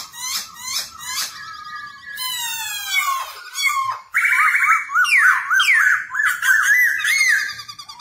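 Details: Dancing Black-throated laughingthrush whose singing serves to train newly caught birds; begins with sharp clipped notes and a harsh rasping stretch, then breaks into a fast series of bouncing, looping whistles.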